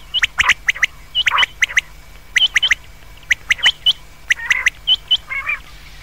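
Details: Common quail calling at night, a brisk run of sharp, whip-like triple notes repeated every half second or so, ending in a soft rasping nasal phrase, over a faint steady hum.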